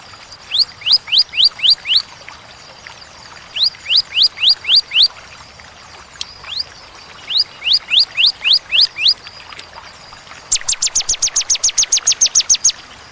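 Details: Bar-winged prinia 'tembakan' song, ciwah and cigun style, clear with pauses: several short runs of five or six rising whistles, then a denser, faster burst of high ticking notes at the end.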